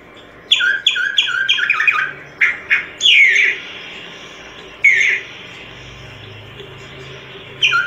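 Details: Solitary cacique singing: a run of short, evenly spaced clipped notes, then a loud harsh downslurred squawk, repeated later after a quiet gap.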